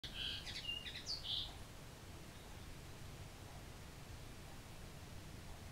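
A common linnet gives a quick burst of bright, twittering high notes for about a second and a half, then only a low background rumble remains.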